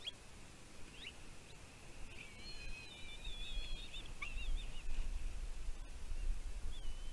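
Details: Lone bald eagle chick at a nest on Catalina Island, California, USA, on 15 June 2023, reacting to food its mother brings. High, thin, wavering whistles form a long chittering run in the middle, with scattered squeaks before and after, over a broad background hiss.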